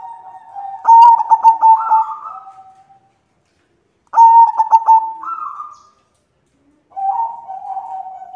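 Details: Female white zebra dove calling to the male: three cooing phrases, each a low steady coo broken by rapid stuttering beats, then a brief higher rising note, with short silent gaps between phrases.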